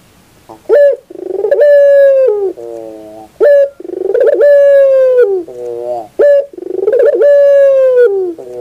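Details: Barbary dove cooing on a bird-training track: sustained bright coos with a pulsed start, each followed by a lower rolling purr and a short sharp note, repeated roughly three times in steady rhythm.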